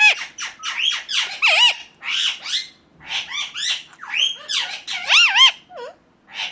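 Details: Natural calls of an Indian ringneck parakeet: bursts of shrill, grating screeches, some looping up and down in pitch, coming in quick groups separated by brief gaps.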